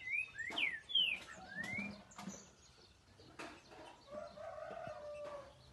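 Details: A caged, tame Green-winged Saltator gives a quick burst of clear, slurred whistles, rising and falling, followed by sharp clicks and a softer, lower warble over background hiss; birds here reportedly sing 17–19 songs per minute.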